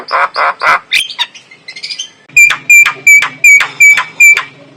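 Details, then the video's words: Lure call of a male white-eyed Javan myna with a clear voice: a few hoarse notes and chatter, then six loud, evenly spaced notes, each carrying a pure whistled tone. "Pancingan jalak kebo jantan mata putih suara jernih"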